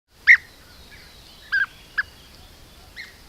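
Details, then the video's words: A group of European bee-eaters hunting bees at an apiary in Corte Franca, captured by a camera trap: a few short, rolling liquid notes at scattered intervals, one loud call first, then a double note and single calls, over a quiet steady background hiss. "Gruccioni su apiario - European bee-eater (Merops apiaster)"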